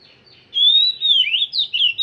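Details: Oriental magpie-robin, song still in training: a sustained clear whistle gives way to quick, swooping, slurred notes in a brief burst.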